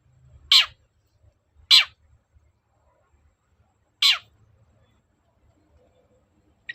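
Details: Long-tailed shrike provoking a reply with harsh, scraping notes: two rasps a second apart, a longer gap, then a third, each ending in a falling tail, with silence between.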